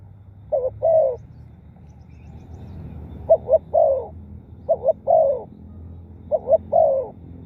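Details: Spotted dove giving four cooing phrases at irregular spacing, each two quick clipped notes then a drawn-out mellow coo, separated by pauses of over a second, over a steady low hum.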